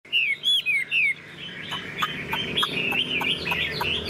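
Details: Tame caged Chinese hwamei singing: a few loud, clear whistled notes, each curving up then down, open the clip. Quieter, jumbled warbling and chirps follow under faint room noise.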